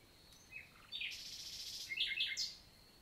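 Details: Nightingale in daytime morning song, Célé valley, Lot, south of France, June 2023: a short run of bright varied whistled and buzzy notes rising in loudness, against a quiet rural forest background.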